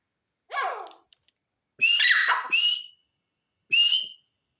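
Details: Partridge calling: a descending harmonic rasp, then loud clear whistled notes that rise and slide off, with short pauses of silence between the bursts.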